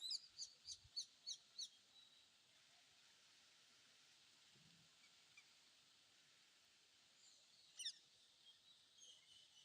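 Red-wattled lapwing giving a quick series of six sharp, high, piercing notes, then one more burst near the end, over steady outdoor hiss.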